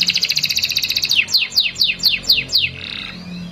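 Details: Lively canary pancingan song used to teach young canaries: a rapid rolling trill gives way to six loud downward-sweeping whistled notes, roughly four per second, ending in a soft buzz over a low steady hum.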